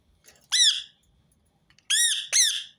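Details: Rose-ringed parakeet giving loud, harsh screeches: one single call, a short pause, then two more in quick succession, repeated to encourage other birds to sing.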